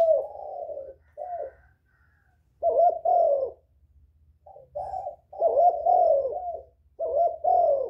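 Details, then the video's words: Spotted dove cooing to draw in other doves. Soft, slightly rough coos come in paired or tripled bursts separated by short silences, over a faint low rumble. "Tiếng chim cu gáy kích bổi mau nổi, cu gáy kích mồi hay"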